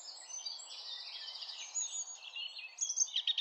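A Eurasian blackcap sings a rapid, warbling run of high, tumbling notes, ending in brighter, louder phrases, over a faint background hiss.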